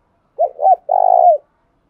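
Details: Single phrase from a trained decoy spotted dove: two short curving coos quickly followed by a longer, slightly pulsing croo that falls away at the end, on a silent background.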